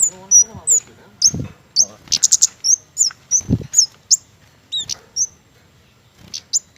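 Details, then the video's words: Flowerpecker, a garden bird that feeds on mistletoe fruit, singing actively: a rapid series of very high, thin, sharp ticks and short whistled notes in quick bursts, with several low dull thumps between phrases. "KEMADE / CICI GENI GACOR"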